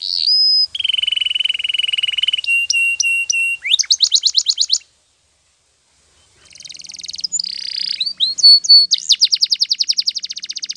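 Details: Canary singing for training, with a long buzzy rolling trill, then clipped repeated notes and quick sweeping trills, a silent gap, and more rolling and chopped trills.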